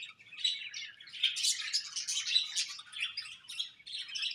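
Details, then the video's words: A chorus of budgies chirps in high, buzzy warbling bursts, with squeaky notes that swell and fade in quick succession. "Budgies Chirping Sounds"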